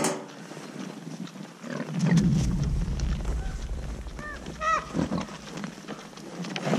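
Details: Common ravens giving food-associated haa calls that recruit other ravens to a feeding site at a boar. A few short, hoarse, arched harmonic calls come near the end, after a long low rumbling noise.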